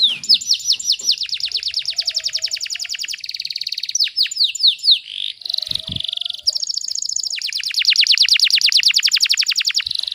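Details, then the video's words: Canary 'tembakan rapat' tutor song: runs of rapid falling notes and buzzy high trills, a short pause with a faint click, then a long loud trill of fast repeated downward notes. "MASTERAN KENARI FULL TEMBAKAN RAPAT"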